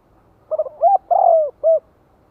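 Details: A 'giọng hạp' spotted dove used as a decoy coos to stir wild birds. Its mellow four-part phrase runs from a rapid double stutter through a bowed coo and a long descending note to a neat closing coo.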